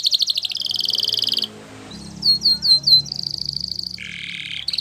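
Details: Canary song of rapid high trills broken by a quiet gap, a few loud swept whistles, a steady trill, a lower buzzing phrase and a final trill; low hum in the background.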